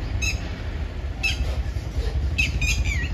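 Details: Red-wattled lapwing from a family with two small chicks, giving short, sharp, shrill calls in a few bursts over a steady low rumble of wind or distant traffic.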